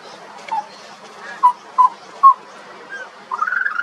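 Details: A juvenile pied butcherbird sings in Australia: a few soft separate whistled notes spaced about half a second apart, then a fast rising warbled trill at the end.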